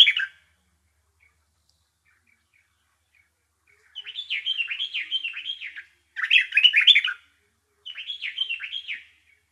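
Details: Bulbul chirping in three bursts of rapid, warbled, up-and-down notes, each lasting about a second, after a brief opening note and a quiet gap; a clean recording with no other sounds.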